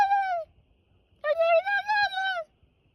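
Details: A turkey answers its owner's attempts to get it to talk back with two clear, nasal, slightly falling calls, a short one and then a longer, wavering one, against a quiet background.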